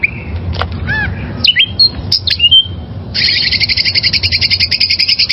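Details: Song of a wild oriental magpie-robin intended for training caged birds: assorted whistles and slurred notes, then a long fast buzzy trill of rapidly repeated notes lasting over two seconds, low hum beneath.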